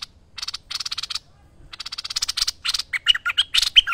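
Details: Merbah lekir bulbul in full, lively song for a master training tape: rapid rasping chatter builds into quick gurgling fluted notes at the end.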